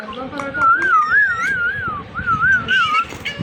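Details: Indian ringneck parakeet mimicking speech with a long, steady warbling whistle that undulates evenly for over two seconds, preceded and followed by soft, speech-like murmurs.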